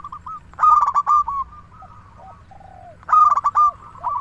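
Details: Local zebra dove singing, used to prompt other doves to call; two loud rippling coo phrases about two and a half seconds apart, separated by soft drawn-out lower notes and a faint continuous low hum.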